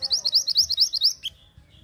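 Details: Hill blue flycatcher lure call: a rapid, loud burst of about ten short, high, upslurred notes in just over a second, then one lower chip and quiet.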